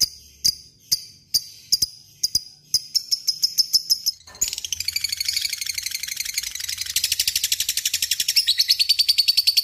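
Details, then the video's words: Lovebird kept as a fighter bird, singing the long ngekek trill: sharp clicking notes give way after four seconds to a dense, continuous, high chattering trill that holds steady to the end. "Ngekek panjang LOVEBIRD"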